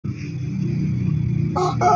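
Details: A contest-ready Pelung rooster, just over a year old, with feathers regrowing and praised for good rhythm, crows a deep, drawn-out, tuneful call with a rough, rising burst near the end.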